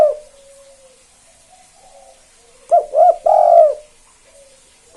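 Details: Spotted dove, 'kuk 2' style, singing to make other doves join in: one low cooing phrase of two short hoots and a longer drawn-out coo, preceded by faint soft background coos.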